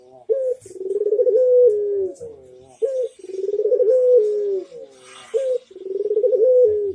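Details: Barbary dove, master cooing for training birds in the manggung style: three complete coo phrases, each opening with a short sharp note, then a beating rolled section and a long mellow tone that drops away, faint background noise.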